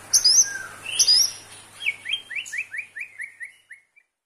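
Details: White-rumped shama (murai batu) singing 'gacor' style, used as therapy for weak shamas: a few shrill high notes, then a fast falling run of about nine clipped, whistled notes that fade out, with a faint low hum at first.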